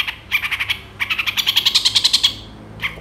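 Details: Long-tailed shrike tutor song full of mixed phrases, meant to make other shrikes reply; a fast, evenly pulsed trill of scratchy notes that rises slightly in pitch, then a single late chip.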